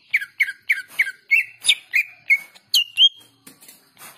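Greater green leafbird song: a rapid run of sharp chirps, about three per second, breaking into bright level whistles.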